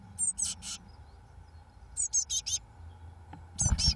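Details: Eurasian blue tit chicks fledging on day 21, 1 June 2012: three groups of sharp, very high squeaky calls separated by quiet gaps, with a knock at the close.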